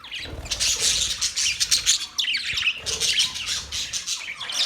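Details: Chirping parrots in busy, overlapping bursts, rasping notes mixed with short whistled rising and falling chirps, a brief pause in the middle then renewed chatter.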